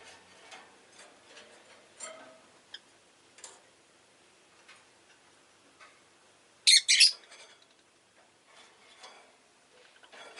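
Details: Pet rosy-faced lovebird gives soft, scattered chirps and ticks, then one sudden pair of loud, harsh, shrill shrieks before returning to quiet chatter.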